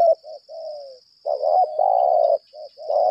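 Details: Spotted dove used as a decoy, 'lambung kuk' type, calling in 'berlaga' challenge fashion: a short coo and a drawn-out falling note, then loud, rough, rolling coos in quick bursts, with a constant high-pitched whine behind.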